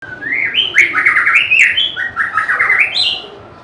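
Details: White-rumped shama, a bird able to mimic other birds, singing loud, varied whistled phrases that jump and slide between notes, with short warbles and quick twitters in a rich, continuous run.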